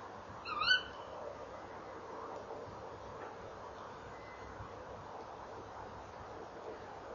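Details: Tawny owls calling at a nest box in the evening, 19:22 on 28 November 2013, as the female lands by the box and the male flies inside; one short, sharp, harsh call near the start, then quiet background hiss.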